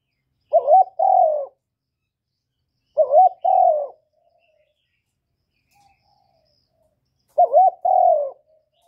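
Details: Spotted dove coo for stimulating newly kept birds: three well-spaced phrases, each a brief wavering double hoot followed by a longer falling coo, with quiet pauses of about two seconds between.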